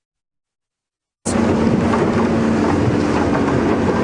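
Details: About a second of silence, then loud continuous rattling vehicle noise of a game drive, with no animal calls.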